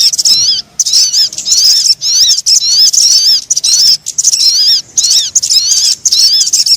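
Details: High, thin twittering of a crimson sunbird, played as a lure to draw birds in; fast wavering squeaks packed into longer bursts with short gaps, about seven bursts.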